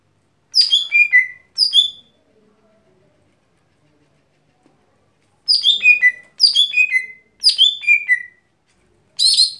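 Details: Lesser green leafbird's everyday song: quick bursts of sharp, bright notes that tumble downward in pitch, each phrase about half a second to a second long, separated by pauses, with a quiet background.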